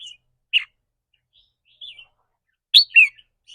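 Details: Red-whiskered bulbul from a cage, its trilling said to depend on its mood that day: a short sharp chirp, soft warbles, then two loud downward-slurred whistles in quick succession.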